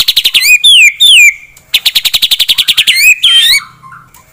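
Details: A white-rumped shama sings to anger a rival: rapid buzzy rattling notes, two long descending whistles, then another fast rattle and a wavering whistled phrase.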